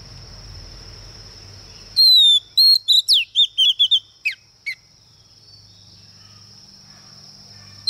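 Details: Singing lure female Oriental magpie-robin, meant to excite males: after a noisy start, a string of sharp whistles and swooping slurs for about three seconds, trailing into isolated notes and a constant high hum.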